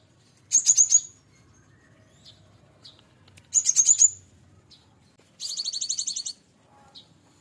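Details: Hand-raised caged cinereous tit, fed from a chick and now maturing, singing a full fill-in song: three short, high, rapid buzzy trills about half a second to a second long, separated by quiet gaps of roughly two seconds.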